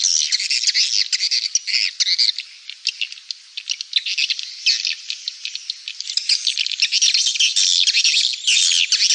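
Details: Swiftlet attraction call: a continuous dense mass of high, buzzy chattering and rattling twitters with constant overlapping notes, loud and sustained throughout.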